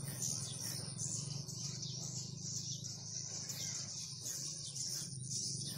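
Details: High twittering of a crowd of swiftlets fills a renovated swiftlet house on its liveliest day, rising and falling in bursts over a low, even hum.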